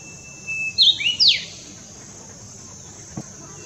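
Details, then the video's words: A brownish-flanked bush warbler sings in the Himalayas in summer, one phrase: a long, thin, even whistle, then a quick upslurred note and a sharp, explosive downward flourish; a faint tick follows. "Brownish flanked Bush Warbler singing"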